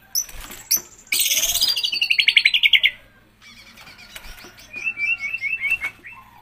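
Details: White-rumped shama (murai batu) in gacor song: a fast, even rattle of high buzzy notes for about two seconds, then softer scattered chips and a short series of quick whistled notes.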